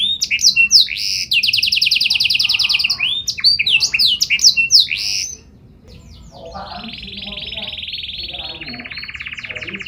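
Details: A canary sings continuously with a special melodic style. Loud rolling trills and quick chirps come first, then softer, steady buzzy trills at two pitches.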